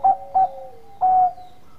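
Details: Bangkok-strain zebra dove (perkutut) in full song, a bekur call used to lure a rival into answering: two short, soft, hollow notes, then one long, drawn-out coo, all at the same mellow mid pitch, with no other sounds.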